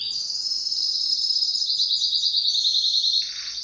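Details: Pet canary in duet song, delivering one long unbroken high trill of fast repeated notes that stays at a steady pitch before cutting off.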